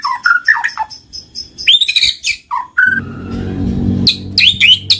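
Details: White-rumped shama singing loud, open 'gacor ngeplong' song, used as a lure to prompt lazy shamas to sing: varied whistled phrases, rising and falling slurs, then a long steady note and sharp high chips, with a low background rumble.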